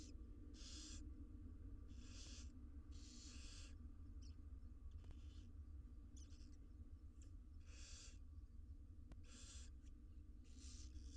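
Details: Wild barn owl nestlings, all six fed inside a monitored nest box, repeat harsh airy hisses roughly every one to two seconds, some overlapping, with faint clicks and a steady low hum beneath.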